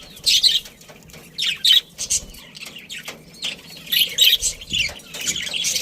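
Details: Budgies from a breeding colony give bursts of harsh squawky chirps separated by brief pauses, with quieter chatter in between.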